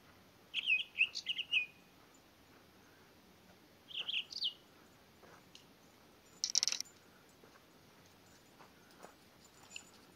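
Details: Townsend's solitaire at Elena Gallegos giving short, clear whistled notes in a quick cluster of four, then a pair, followed by one higher, sharper burst; otherwise quiet.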